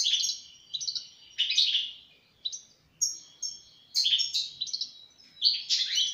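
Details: European goldfinch song of rapid tinkling, twittering phrases delivered in quick bursts, some slurred downward, separated by short gaps.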